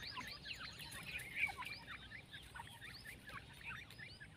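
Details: Newly hatched partridge chicks giving a busy flurry of short, high, upslurred peeps from several birds at once, rapid and irregular, over a low background hum.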